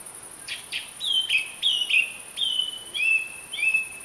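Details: Song thrush (Turdus philomelos) song built from a clear whistled phrase repeated several times, about every half second, after a few scratchy opening notes; a constant thin high-pitched hiss runs throughout.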